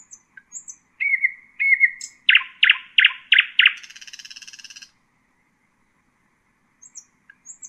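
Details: Tutoring song for young birds from a nightingale in Husayna style: two drawn-out whistles, a run of five strong repeated notes, then a grating buzzy trill and a pause with soft high notes.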